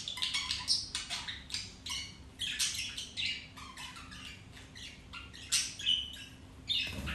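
Budgerigar chatter: rapid scratchy squawks and chirps in irregular bursts, high-pitched and continuous.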